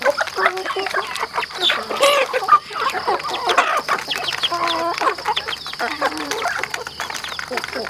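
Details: Chickens on a rural home farm, a flock clucking and chattering in overlapping short calls, several brief rising squawks standing out, with a steady high electrical hum underneath.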